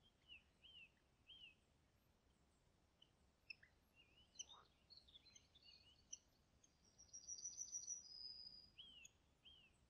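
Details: Common kingfisher in Niepołomice Forest, Poland, July 2020: scattered short chirps and downslurred notes, then a long, thin, piercing high whistle near the end, with faint background hiss.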